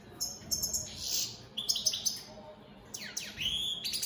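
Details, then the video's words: European goldfinches of the opal split Satane mutation in song, with scattered high chirps, short buzzy bursts and steep descending whistled sweeps, separated by brief pauses. "Opal split Satane goldfinches siging"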